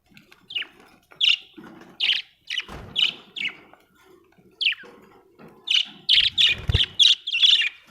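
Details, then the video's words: Budgerigars chirp with scattered squeaky tweets early on, then a rapid string of loud bright notes near the end, over low rustling and one thump. "Australian beautiful birds sound 😍 budgie chirping sound"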